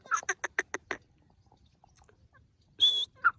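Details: Grey francolin call used for hunting: six quick harsh notes in a row, a pause, then a long shrill squeal followed by a short lower note.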